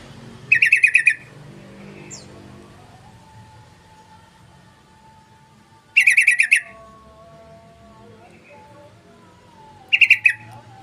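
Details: Sooty-headed bulbul call: three short bursts of rapid chattering notes, at about half a second, six seconds and ten seconds, separated by quiet gaps; a faint steady tone and low hum run underneath.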